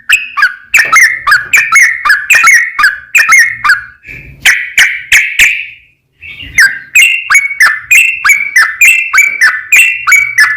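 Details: Lure song of a sooty-headed bulbul, lively 'gacor' singing in the long rapid 'ropel panjang' style; rapid sequences of sharp, slurred chirps, one brief pause near the middle.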